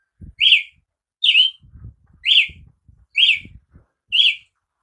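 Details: Five sharp, slurred notes from a Brazilian tanager, roughly one per second, over low knocking and rustling sounds.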